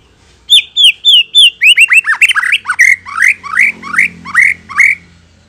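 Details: White-rumped shama song as a lure to provoke a reply: several clear whistled notes, then a fast cascade of loud slurred, rising and falling phrases, about three per second.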